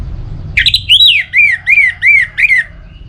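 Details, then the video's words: Orange-headed thrush in song, from northern Bali, played to stimulate singing in rainy and dry seasons; a sharp opening note, then a high whistled rising-falling phrase and four repeated down-slurred whistles about half a second apart, faint background hum. "Pemancing Burung ANIS MERAH Agar Selalu Gacor"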